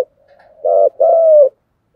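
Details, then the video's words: Continuous cooing by a spotted dove: a faint low murmur, then a short coo followed by a longer, steady coo that sags slightly at the end. "cu gáy thúc gù/ Cu gu lien tuc"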